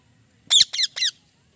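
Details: Three loud, harsh, rapid squawks from a parrot in quick succession, each dropping slightly in pitch, against a silent background.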